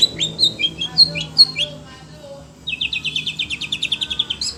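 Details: Oriental magpie-robin (kacer), caged and excited by other birds, gives loud whistled phrases, a pause, then a fast even run of short buzzy repeated notes.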